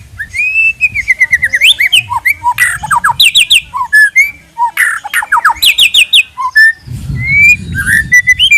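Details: Lure song of a white-rumped shama: a long varied run of rich whistles, rapid chattering notes and rising slurs, loud and continuous, with some low rustling near the end.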